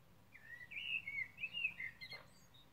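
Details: Common blackbird song recorded on 21 May 2020: a clear, mellow fluted phrase of linked warbling notes, finishing with a quick high squeaky twitter, over quiet low background noise.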